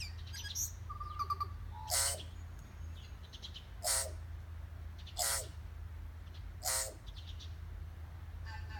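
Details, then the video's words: Tui at Rainbow Falls in Kerikeri, New Zealand, in call and response with a distant tui; loud explosive notes with descending ringing tails about every one and a half seconds, a short whistled note between, over constant waterfall roar. "Tui bird call and response"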